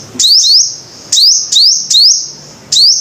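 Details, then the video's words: Five-coloured sunbird: a few piercing whistles, each starting with a sharp tick and gliding up to a level, ringing pitch. Some arrive as quick pairs within three seconds. "Tiếng chim hút mật 5 màu"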